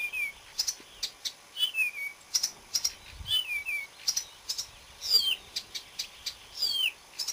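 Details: A marsh warbler sings on 30 May 2010, a fast, varied stream of high notes: sharp ticks, buzzy bursts and slurred, falling whistles, with no pauses between phrases.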